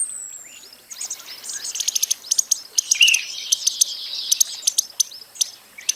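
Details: Costa's hummingbird giving rapid, irregular high ticks, some doubled, over a soft twittering wash, with a brief high whistle at the start.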